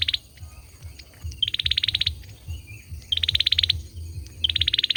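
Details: A singing male olive-backed sunbird gives three rapid high trills, each starting with a brief pure note and then a dense run of quick ticking pulses, with a constant low hum underneath.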